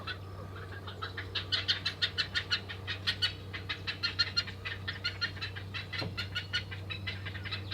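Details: Two Black-headed Heron chicks in a nest begging nonstop while pulling the adult's beak down to force regurgitated feeding: rapid, harsh, clicking calls, about three per second, in a steady unbroken run over a low background hum.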